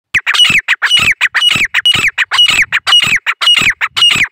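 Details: Female grey francolin calling in the jungle, India: loud harsh repeated notes, each a squawky phrase with a bright rising-falling whistle near the top, given nearly twice a second in a steady rhythm; no other sounds.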